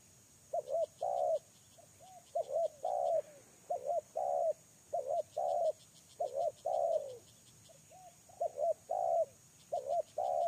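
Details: Captive lure spotted dove cooing continuously: repeated three-part phrases of short paired notes ending in a longer, falling coo, roughly every second, while insects tick rhythmically in the background.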